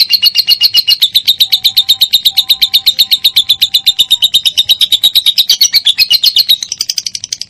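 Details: Lovebird (minor) on a training recording made to get other lovebirds singing: loud, rapid, rhythmic chirping, roughly four notes a second, with faint whistled tones beneath, then a higher, quieter chatter at the close.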